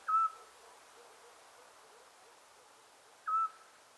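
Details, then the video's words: Eurasian scops owl at night in Cappadocia, Turkey, during night-sky photography, giving two short, mellow whistled notes about three seconds apart, steady in pitch against a quiet night background; the sound was unknown to the listeners at first and identified later. "the sound of Eurasian scops owl"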